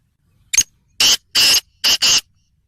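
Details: Black francolin giving its grating call: one brief clipped note followed by four loud, raspy, buzzing bursts in an uneven rhythm, against a silent background.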